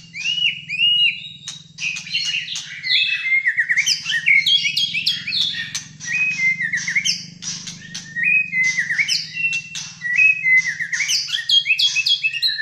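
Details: Malaysian white-rumped shama, a caged bird in full fighter song: a long, nonstop medley of whistles, upslurs, clicks and rattling chatter at high pitch, varied phrase after phrase, over a low hum.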